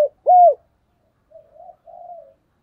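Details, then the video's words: Decoy spotted dove calling in the thúc bổi and gáy gọi style: one loud, slurred, falling coo, a pause, then two softer, drawn-out low coos. No other sounds. "tiếng cu mồi thúc bổi và gáy gọi"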